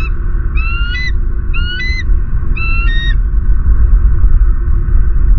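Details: A bald eagle of the Southwest Florida pair Harriet and M15 gives three thin, high, rising piping calls about a second apart, over a steady low wind rumble.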